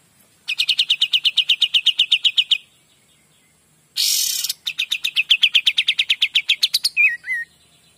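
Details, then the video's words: Pied Triller giving two long, fast rattling trills of evenly repeated sharp notes. A brief harsh noisy burst falls between them, and a short twisting whistle follows at the end. "KAPAS TEMBAK GACOR DOR"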